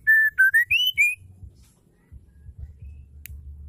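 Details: Oriental magpie-robin female singing to prompt males to sing: a brief run of five loud pure whistles, level then rising and falling, followed by quiet low rumbling.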